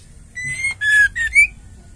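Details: A single brief phrase from a female white-rumped shama used to make caged males sing: four ringing whistled notes, the first held level, the second slightly lower and falling, the last two rising sharply.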